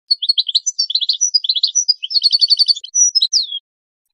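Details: European goldfinch song from a breeding program's training material to encourage mating: a continuous, lively twittering flow with varied chirps, a fast even trill in the middle, and closing high whistled slurs.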